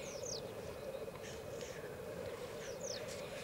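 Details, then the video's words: Black grouse males, 38 at one lek in Elverum in 2008. A dense, steady bubbling hum sounds under two or three breathy hissing bursts. Sharp high descending notes from other birds are also heard. "Orreleik i Elverum 2008 - Black Grouse"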